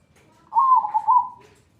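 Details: Zebra dove (perkutut) song in the 'atas bawah' style, used as a training recording for other birds: one smooth, low cooing phrase about one second long, wavering gently in pitch, over a quiet background.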